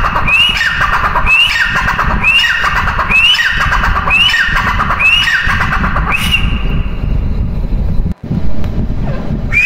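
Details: Female grey francolin: a series of about seven rising, piercing whistles with falling tails, roughly every 0.9 seconds, then a pause with faint noise.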